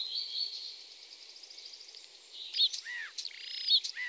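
Eurasian golden oriole giving a long, harsh, grating rasp, then short fluty slurred whistles and scratchy notes in the last two seconds.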